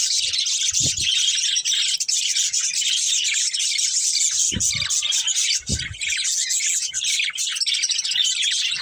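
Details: Breeding pair of budgerigars chirping, a continuous high, busy warble of rapid chatter throughout, with a few soft low knocks or rubbing thumps.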